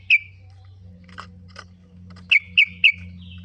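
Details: Lure sound of the kutilang, sooty-headed bulbul, to get birds singing: one clear chirp, a few faint scratchy notes, then three evenly spaced bright whistled chirps about a quarter second apart, with background hum.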